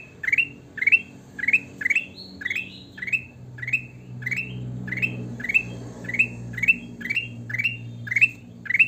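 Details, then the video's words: Sooty-headed bulbul singing vigorously: short bubbly whistled phrases rising then dropping, repeated about every half second, with a low steady hum underneath. "burung kutilang emas gacor"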